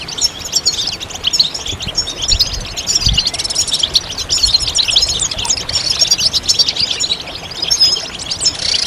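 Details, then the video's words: European goldfinch song: a dense, continuous high twittering of rapid tinkling notes and buzzy trills, possibly several birds, with low rumbling background noise. "goldfinch stimulation"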